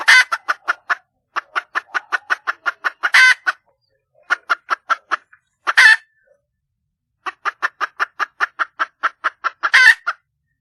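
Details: Red junglefowl hen, a wild bird, calls for a mate with quick trains of sharp clucking notes separated by short silences, each run ending in a loud rasping burst.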